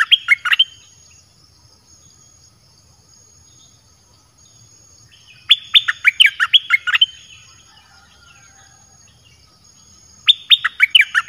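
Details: A caged red-whiskered bulbul repeats a lively whistled song phrase three times, each a rapid burst of warbled notes lasting about a second or more, separated by roughly four-second pauses. The singing is used to bring in wild birds.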